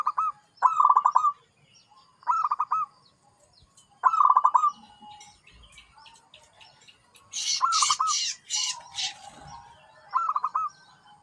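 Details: Zebra dove repeating short, rolling cooing phrases every one to two seconds. Partway through, another bird adds a loud, harsh, high chattering burst.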